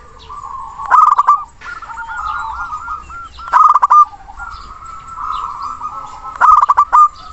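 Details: Local zebra dove sings to call a rival, meant to set other birds singing: three bursts of sharp clipped notes spaced about two and a half seconds apart, with long, steady, wavering coos between them.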